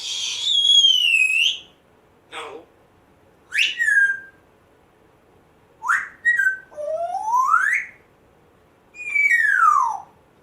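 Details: African grey parrot kept indoors one month after rescue, making odd mimicked sounds: loud sliding whistles and squeaky swoops, some falling and some rising steeply, with short gaps between. Its former home had a very squeaky door.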